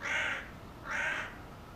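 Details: Hooded crow giving two harsh, hoarse caws about a second apart, over a low background hiss.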